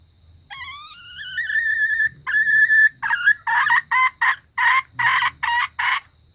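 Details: Hen red junglefowl giving a lure call for males and other females: long, rising, slightly wavering drawn notes, then a run of clipped, harsh cackles repeated roughly twice a second, with a faint insect drone behind.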